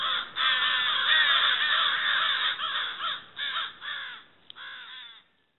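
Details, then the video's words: An October gathering of crows caws hoarsely in a thick overlapping mass that breaks into a few separate raspy calls, then fades to quiet at the end. "Crows in October"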